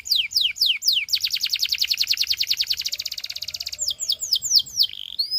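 A canary sings a few high, sweeping downslurred notes, then a rapid rolling trill of many identical notes, then more bright descending sweeps.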